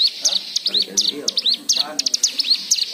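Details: White-eye song played to coax other birds into singing, full of varied phrases: lively high twittering of quick looping whistled notes in tight clusters, with faint low background sounds underneath.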